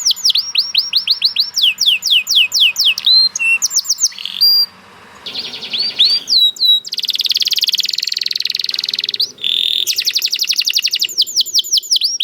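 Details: Canary song of varied tours: quick trills of falling notes, short whistles, a brief lull, then long dense buzzy rolls and another fast trill of repeated sweeping notes.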